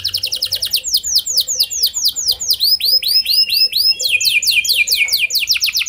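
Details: Steady canary song for coaxing other canaries into song: an unbroken string of bright downward sweeps, two to three each second, with faster high notes layered in.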